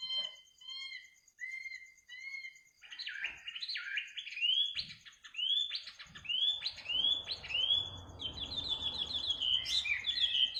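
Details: Bird song at midnight, offered as a soothing sound to fall asleep to: spaced clear whistles, then a fast series of upswept whistled notes, with low rumbling background and a steady high trill.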